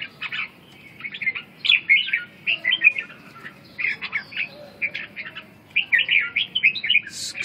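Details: Red-whiskered bulbul of the southern Vietnamese type, singing short bursts of bright, warbled notes and quick liquid phrases, separated by brief pauses, with a soft background hiss.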